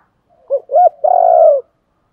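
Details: Spotted dove cooing, recorded for stimulating decoy birds, with calling and fighting coo styles named: two short hooked notes followed by a longer, drawn-out, low steady coo, the whole phrase lasting just over one second in quiet surroundings.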